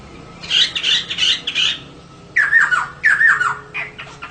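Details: Female laughingthrush vocalising to prompt males to sing: four harsh raspy bursts, a short pause, then loud whistled downslurs wrapped in scratchy noise.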